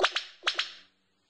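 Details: Male Black Sicklebill (Epimachus fastosus) gives four loud, explosive, whip-like notes in two quick pairs from his courtship display territory, advertising it to distant females and announcing his presence to neighbouring rival males.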